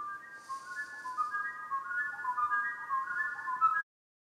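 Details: Replayed recording of a lyrebird copying a flute almost note perfect, a song found across much of New England and up on the North Coast. Clear whistled, flute-like notes in overlapping melodic runs, cutting off abruptly near the end.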